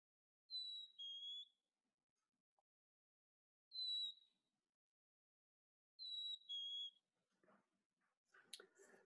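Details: A Black-capped Chickadee recorded on 25 January in winter sings its clear, whistled fee-bee three times, a high note then a slightly lower one, about every three seconds. Rustling and a voice follow at the end.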